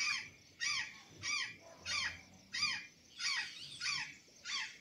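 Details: Feeding on banana and sweet potatoes at Santa Catarina, an azure jay repeats a harsh, grating call with a downward-sliding undertone, eight evenly spaced calls in about five seconds.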